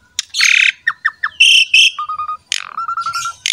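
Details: Asian pied starling lure song: a long harsh burst, three quick downslurred whistles, two buzzy squawks, then a low level whistle and a stuttering series of short low whistles.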